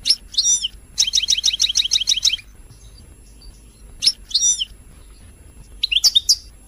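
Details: European goldfinch song used to stimulate singing: bursts of rapid, high, tinkling notes including a fast evenly repeated series, then pauses and further twittering phrases; faint low hum beneath.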